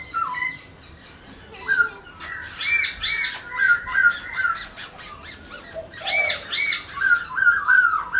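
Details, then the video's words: White-browed laughingthrush displaying and singing, played to stimulate pet birds to sing: clear whistled notes sliding down and up, mixed with harsh squawky bursts and rapid repeated phrases. "khướu múa hót bạc má khướu mun kích bổi"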